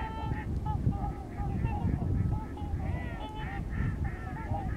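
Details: Trumpeter swans on migration in Missouri, a flock giving rapid overlapping trumpeting honks, short nasal notes tumbling over one another against a constant low-frequency roar.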